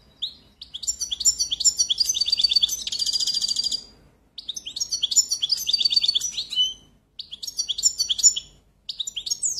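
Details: European goldfinch song: loud bursts of twittering, liquid trills and buzzy notes in three phrases separated by short pauses, with a rapid tinkling rattle near the end of the first phrase; no other sounds stand out.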